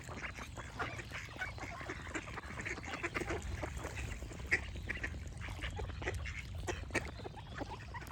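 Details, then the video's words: Busy duck chatter of short, raspy quacks repeated without pause, backed by chirping birds and a constant low hum. "Duck Quack Sound Effect with Birds Chirping for Relaxation"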